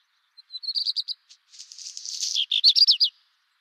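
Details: Redstart song opening with a soft thin note and a rising series of clear, evenly spaced high notes, then a hurried scratchy chatter and several emphatic down-slurred notes at the close. Quiet background.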